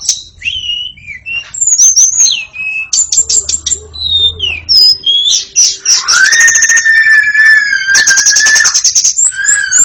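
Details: White-rumped shama pouring out varied phrases: sweet high whistles, quick stuttered notes, then long sustained buzzy trills layered over a steady lower whistle, loud and continuous.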